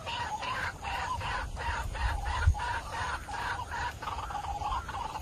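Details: White-breasted waterhen call used as a hunting lure to draw birds in: a steady run of harsh, croaking notes repeated about three times a second over a deep low rumble of background noise.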